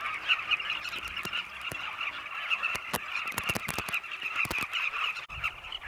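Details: A flock of Southern carmine bee-eaters at sunset in Zambia, flying around their cliff nest tunnels while hunting insects for their chicks, makes a dense chorus of overlapping throaty, rolling chirps, broken by sharp clicks and knocks.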